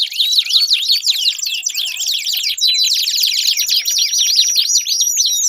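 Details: Canary song played to stimulate a silent canary to sing: continuous rapid warbling of sweeping, slurred notes and fast trills, pitched high, dense and unbroken throughout.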